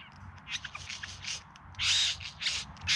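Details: Male bowerbird in courtship display, filmed in September 2020 in the Yarra Valley near Melbourne: scratchy, harsh bursts of varied notes, louder broadband rasps near the end, faint low background rumble.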